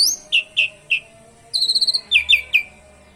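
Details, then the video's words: Asian pied starling singing with canary imitations to spur nearby birds into song; separate downslurred whistles, a short rapid trill, then a quick trio of sharp slurred notes. "JALAK SUREN gacor isian KENARI"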